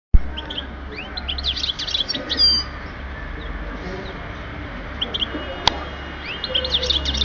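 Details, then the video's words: European goldfinch from Oued Souf, Algeria, 2010, giving scattered high, thin, liquid twitters and chirps with quiet gaps, over a low steady background hum and one sharp click. "chardonneret with best song"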